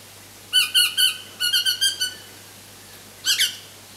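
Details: Pale-headed rosella chick begging for food during feeding: three loud nasal squeaks, a quick series of five slightly softer rasping notes, then a final doubled squeak after a short pause.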